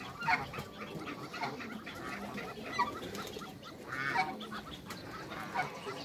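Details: Backyard pair of geese, an African male and a Toulouse female, newly paired to breed hybrids; loud harmonic honks sound about every one to two seconds over a murmur of other farmyard fowl.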